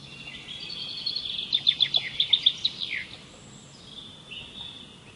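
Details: Songbird giving a bright, high trill of about ten rapid pulsed notes over roughly a second and a half, ending in a falling slur, then fainter high whistles in steady background hiss.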